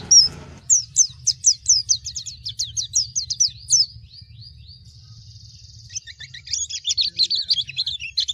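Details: Pleci Baduy, a Baduy-type Indonesian white-eye, sings in high rapid chirping phrases: a run of quick repeated descending notes, a thin sustained tone, then dense twittering trills toward the end.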